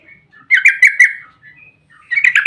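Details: Yellow-vented bulbul singing a long rapid 'ropel' song, played as a lure to provoke other bulbuls into calling: a faint whistle, then a loud rattling run of harsh chirps, a pause, and another rapid burst.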